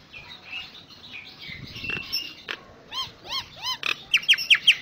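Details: Jalak nias or common myna singing full 'isian': quiet chatter, then four arched, gurgling notes, ending with a quick series of loud, sharp, evenly repeated chips.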